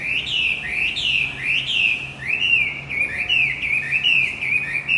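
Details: Male Javan white-eye lure song for prompting a bird that has gone quiet: loud, high, sweeping whistles rising and falling in quick succession, becoming a run of shorter slurred notes.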